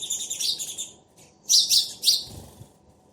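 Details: Sparrow pair exchanging calls: a quick string of high chattering chirps, a short silence, then three loud, sharp chirps in succession and a faint low thump.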